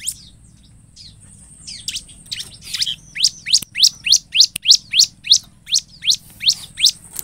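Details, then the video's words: Bar-winged prinia singing to lure other prinias into calling back: scattered high chips build into a regular, loud series of sharp, downward-slurred notes repeated roughly three times a second. "ASLINYA CIBLEK GACOR BIKIN CIBLEK LAIN MERESPON, Pancingan ciblek agar bunyi|| suara ciblek"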